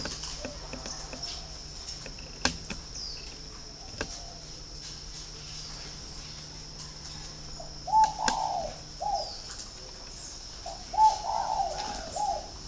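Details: Spotted dove kept at a dove breeder's garden in Ba Vì, Hanoi, Vietnam, praised as having a very resonant voice; after a quiet start, two bursts of soft, hollow cooing phrases come late, over a steady high hiss and occasional clicks.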